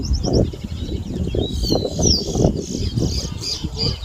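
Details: In a 2022 bird whistling competition in Berbice, Guyana, a towa towa seedfinch sings short, bright, upward-sweeping whistles, partly buried under loud low-pitched background chatter and thumps.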